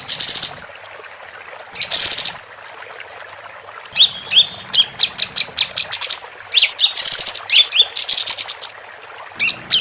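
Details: Actively singing female capped white-eye, used to train contest songbirds: high buzzy chirp bursts, then a quick run of short rising whistled notes repeated several times a second, over a soft low hum.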